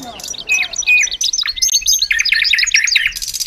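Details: Caged hybrid European goldfinch delivering a dense, continuous warble of high liquid twittering and tinkling notes that rise and fall quickly.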